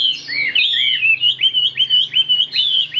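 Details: A caged, nearly tame Chinese hwamei with a fig-leaf-shaped tail sings a loud, rich, rapid-fire run of whistled phrases, sliding up and down and repeated several times a second, with a faint hum in the background.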